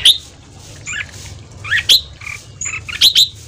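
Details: Red-whiskered bulbul in fast morning ché singing, meant to rouse newly caught birds: loud, bright, rising and falling warbled notes in clusters about a second apart, with a few high thin whistles between.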